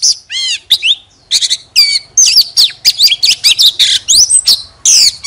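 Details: Oriental magpie-robin song opening with a rapid trilled run of falling whistles, then a dense string of sharp whistled notes and scratchy bursts.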